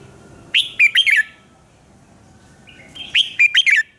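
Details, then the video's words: Red-whiskered bulbul's morning song, recorded as a decoy for training: two lively phrases, each a rapid run of four or five loud, rolling whistled notes, about two seconds apart. "luyện giọng chào mào hót sáng - Hót hay nhanh lửa"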